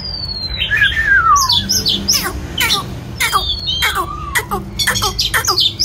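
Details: White-rumped shama singing as it dances: a clear whistle dropping steeply in pitch, followed by quick high chirps, snapping clicks and a short level whistle, all over a low background rumble.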